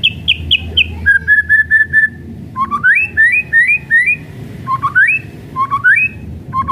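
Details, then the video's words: White-rumped shama kretekan song, used as a lure to provoke other shamas: a quick descending run of high notes, a row of steady whistles, then repeated clear rising upslurred whistles over a low hum. "KRETEKAN MURAI BATU MEMANCING EMOSI PALING TOP"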